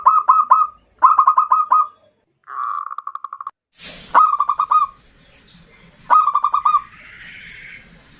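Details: Local zebra dove singing the 'ndudut' variation, a lure song meant to call in and provoke a rival: bursts of rapid, hooked cooing notes in several phrases, with a short noisy thump midway and a faint hiss near the end.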